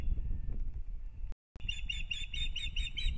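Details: Breeding-season Osprey pair at a Latvian nest in Kurzeme, 9 April 2022; after a brief dropout, a rapid series of loud, high whistled chirps repeats about five times a second against low wind noise.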